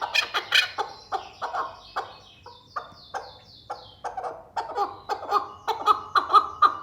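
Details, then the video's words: Male partridge from Sulaimani calling with a rapid series of harsh, clucking notes, roughly two per second. The notes become louder and more ringing toward the end, over a quiet background. "صوت فحل قبج أو حجل"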